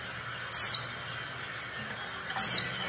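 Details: A female Oriental white-eye, used as a lure to prompt males to sing, gives two thin, high descending tsee notes about two seconds apart over a faint background hiss.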